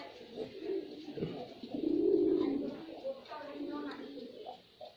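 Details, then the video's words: Deep, rolling cooing of a male white pigeon in performance, a quiet lead-in rising to a strong central coo, then softer murmurs. "Pigeon Sound Effect || Male Pigeon Super Performance || White Pigeon"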